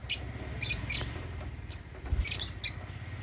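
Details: African lovebirds feeding on holy basil in a cage at meal time; scattered sharp high chirps, a few clustered near the end, over steady low rumble.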